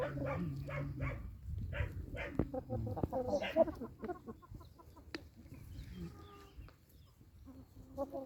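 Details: Clucking farm chickens in rapid nasal runs, loudest early and fading later, over steady low rumble and scattered clicks.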